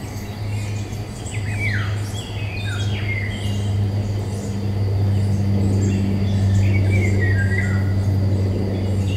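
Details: Eurasian golden oriole in woodland, May 2021, Nikon Coolpix P1000. Clusters of falling, liquid whistles appear in two bursts with a quiet gap between. A strong low droning hum grows louder through the clip.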